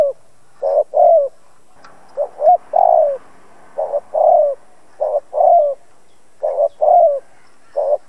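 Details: Tame decoy spotted dove cooing to provoke wild doves into calling. Low, mellow cooing phrases of three to four notes, each with a longer rolling middle coo, repeat several times over a quiet background.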